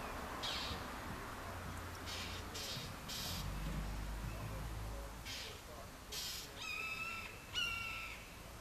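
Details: Near Orlando, Florida, in May 2019, a Northern mockingbird harasses a juvenile red-shouldered hawk to defend its territory: a string of rasping, broadband bursts, with two clear whistled, slurred calls from another bird near the end.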